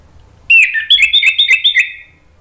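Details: Orange-headed thrush song played to prompt birds to answer. A single rapid, warbled phrase of about two seconds mixes clear whistles with quick chattering notes, and there is no other sound.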